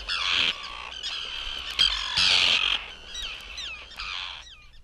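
Common Tern giving harsh, drawn-out grating calls, each about half a second, broken by shorter sharp kip notes with quick downward slurs.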